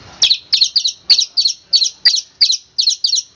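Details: Long-tailed shrike master song for training cage birds, in the tembakan kristal style: quick bright chattering double notes repeated about three times a second, high and clean, with no other sounds.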